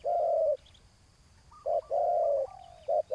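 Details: Decoy-luring session for a spotted dove rival on the ground: two long, mellow low coos separated by a pause, short clipped notes after each, and faint background hiss.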